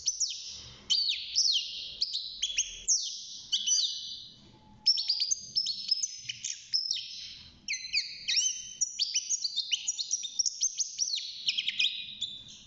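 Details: European goldfinch kept in a cage, six months old and just beginning to sing, delivers a long, lively stream of liquid twitters, quick chirps and descending slurred whistles with brief pauses between phrases.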